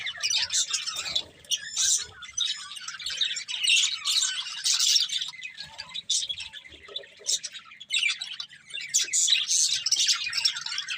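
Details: Happy budgerigars singing and playing, a group chattering in dense bursts of high, scratchy chirps and warbles, with brief pauses between surges of calling.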